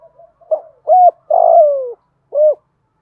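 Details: Spotted dove cooing, used as a decoy to lure wild birds; a series of low, hollow coos, two short notes, then a long drawn-out coo that slides gently downward, and a final short coo.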